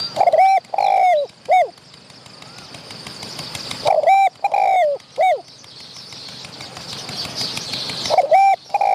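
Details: Spotted dove, wild, answering a trapping decoy and coming close to fight it. It gives repeated three-note cooing phrases: a clipped opening coo, a long even coo, then a short downward coo, with quiet gaps between phrases.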